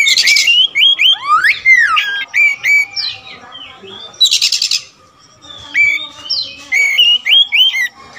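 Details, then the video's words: Oriental magpie-robin of the all-black kacer wulung form, with a very large repertoire of song material: loud, varied whistled phrases with rising and falling slurs, interspersed with short buzzy rattling bursts near the start and around four seconds. "Adu spek raja kacer materi segudang kacer wulung"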